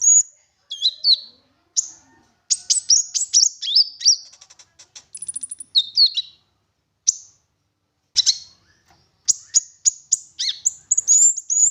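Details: Lengthy high-pitched song of an olive-backed sunbird used as a lure so other sunbirds will sing: chattering trills, whistled dips and a fine buzzy rattle, then a run of sharp falling chips.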